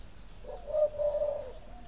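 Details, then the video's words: Spotted dove breeding-stimulation coo: a soft introductory note, then a strong short coo and a longer sustained coo, mellow and low, steady in pitch, against a faint hissing background. "Tiếng chim cu thúc đẻ"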